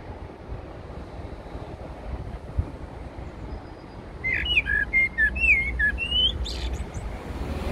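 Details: At Heidelberg Castle a Eurasian blackbird delivers a mellow, warbling phrase of looping whistled notes with a brief high flourish, after several seconds of quiet low background hum.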